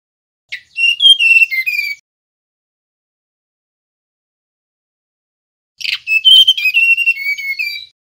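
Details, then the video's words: A male mangrove blue flycatcher whistles two bursts of clear, high phrases, each about one and a half to two seconds, with notes sliding and stepping downward, separated by silence. "Suara tledekan bakau jantan nyiul"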